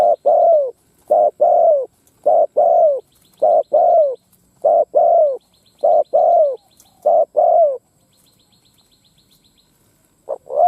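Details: Spotted dove used as a ground lure to provoke wild doves, giving a fast repeated run of low coos, brief notes alternating with drawn-out falling ones, then silence before another coo begins.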